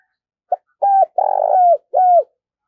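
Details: Caged decoy spotted dove in training giving one cooing phrase: a brief lead note, a level coo, a longer purring rolled coo, then a final falling coo, clean with no other sounds.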